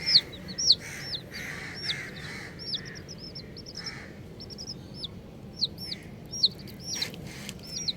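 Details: Group of colourful baby chicks chirping: many short, high, arched peeps overlapping from several birds, fairly continuous and irregular, with some louder sharp calls near the start and end over faint low rumble.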